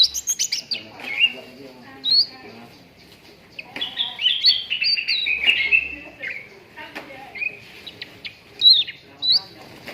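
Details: Cucak ranting bulbul training recording for contest birds: a long, varied run of bubbly whistles and falling warbles with several loud upslurred squeaks, interspersed with short rapid chips.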